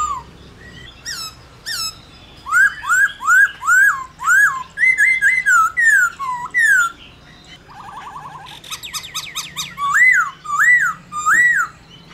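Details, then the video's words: Black-throated laughingthrush singing réo style to stimulate other laughingthrushes: a series of rising whistled slurs about two per second, a brief rattle, then further loud looping whistles. "Khướu Hót RÉO Kích Khướu Bạn Căng Lửa Sung Mãn Hót Nhanh"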